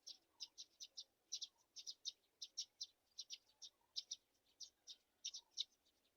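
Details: Young black-shouldered kites being fed a mouse give a steady stream of sharp, high-pitched chirps, often in quick pairs or triplets, with only brief gaps over six seconds.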